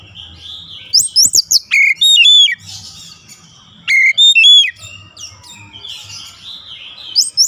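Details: Oriental magpie-robin singing, used for daily training toward a long rolling song. Two bursts of sharp, clear whistled notes with rising and falling sweeps are separated by quieter stretches with a soft low hum beneath.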